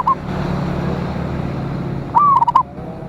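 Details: Zebra dove of local stock, perkutut, used as a lure bird calling rivals: a brief coo at the start, then one full cooing phrase with a long note and rapid broken trills, amid constant low hum.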